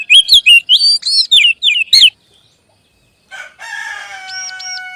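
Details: Magpie robin song used as a lure for adult and young birds: two seconds of lively, varied slurred whistles, then quiet, then a rooster crowing in the background.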